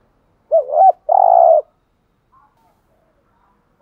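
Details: Decoy spotted dove call in thúc gù style, meant to stir wild doves into cooing: a quick looping double note followed by a steady, rough, pulsed coo. A faint soft note comes later, and the next phrase begins at the very end.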